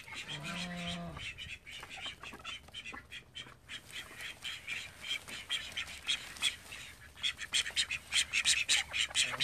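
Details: Call ducks, part of a flock of thirteen kept at home; one drawn-out, low nasal call opens, then a busy run of rapid, irregular raspy quacks and clattering calls builds toward the end.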